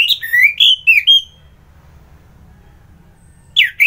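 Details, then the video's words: Orange-headed thrush singing strongly in the morning, a kept bird in Bali, Indonesia: a brisk phrase of loud swooping whistles ending in a level drawn note, a quiet gap, then a new phrase begins. "Merdu Kicauan ANIS MERAH Gacor"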